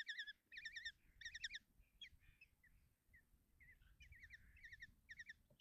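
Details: Common kestrel chicks at a nest box in Tiszalök, Hungary, while their mother feeds them breakfast: groups of quick, trembling high notes, then quieter scattered squeaks, then renewed trilled bursts, with low rustling underneath.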